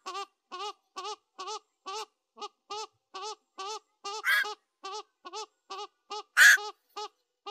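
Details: Ok bird (অক পাখি) giving a steady run of short, nasal, honk-like notes about twice a second, each with a slight bend, broken by two brief louder rasping notes.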